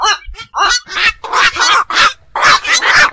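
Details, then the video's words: Night calling of black-crowned night herons from ponds or beels: a handful of loud, broad, rasping squawks spaced roughly one per second, rough and croaking in tone. "বাকচু পাখির ডাক. নিশি বক এর ডাক. 4 রাত জাগা পাখির ডাক"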